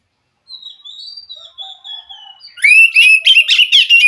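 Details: White-rumped shama from the wild, answering a caged bird reluctant to sing: soft thin whistles and faint twitters build into a loud burst of rapid, rich warbled phrases between two and four kilohertz.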